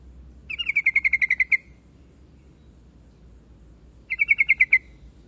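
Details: Yellow-vented bulbul singing two quick trilled phrases, the first a longer run of about ten clipped, evenly spaced notes, the second a shorter burst of about seven, separated by a few seconds of quiet with a low hum.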